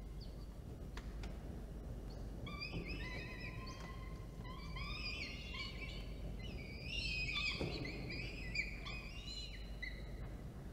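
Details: Peregrine falcons at a nest in Orange, New South Wales, Australia, 24 October 2022, while food is delivered and fed: several overlapping whining, wavering calls building into a busy chorus, over constant low rumbling background noise.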